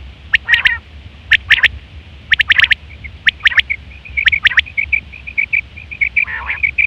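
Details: Female quail calls for trapping quail: sharp high notes in groups of two or three, followed by a fast run of short, even chirps and a brief rougher note near the end.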